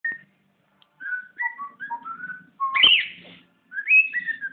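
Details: Pet bird kept indoors whistling a run of clear tonal notes, some level and some gliding, in short phrases with brief gaps, ending with a louder rising sweep and a fast warbled phrase.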